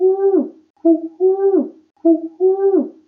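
A pigeon gives soft, low, throaty coos, each a short rolling phrase that dips at the end, repeated about three times over three seconds. No other sounds are heard.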